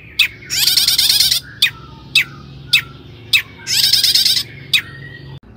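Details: Long-tailed shrike in excited song used as a lure: two long harsh buzzy bursts separated by single clipped high chips.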